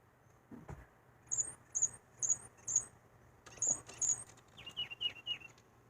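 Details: A titmouse that returns daily to tap, flap and attack a house window, perhaps at its own reflection, gives very high, thin, sharp notes in short bursts, then a lower run of quick chips, with soft thumps between.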